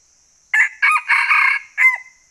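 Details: Male red junglefowl crowing in the forest of northwestern Vietnam during the jungle-fowl trapping season: a loud, harsh crow in four quick segments, the last ending in a drawn-out falling note, with a steady high insect hum behind.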